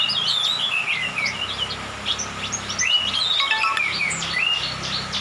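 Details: Orange-headed thrush, a youngster just moulted from spotted plumage, singing out in dew and rain. Rapid, dense run of varied whistled and chirped notes, rising and falling continuously, with a faint low background drone.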